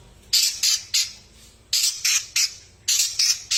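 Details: Long-tailed shrike, a fighting-class bird in full song, gives rough, screechy chattering bursts in groups of two or three, separated by short gaps, against a quiet background.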